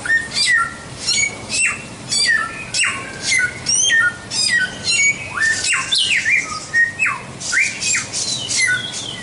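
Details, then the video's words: White-rumped shama song prepared as a tutor recording for training songbirds: dense, varied whistled phrases with sharp downward sweeps and rising slurs, delivered in quick bursts with short gaps, over a faint steady background hiss. "Masteran Suara Samyong"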